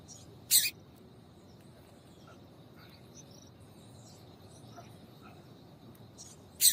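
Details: Calls of a female double-collared seedeater, the call breeders use to make males sing: two sharp, high, rasping chips about six seconds apart, with faint short ticks between and a low background hiss.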